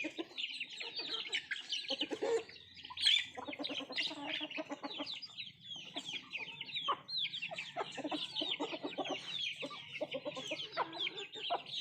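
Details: Nattu kozhi chickens at their food, with constant high chirping from several birds over a run of low, rapid clucks and dull tapping sounds.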